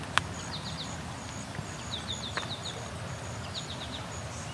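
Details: Osprey, possibly a young one, calling non-stop in summer along the Grand River Trail, Waterloo, Ontario, one of two near a nest: thin, high whistled chirps in quick runs of three or four over low background rumble and a couple of sharp clicks.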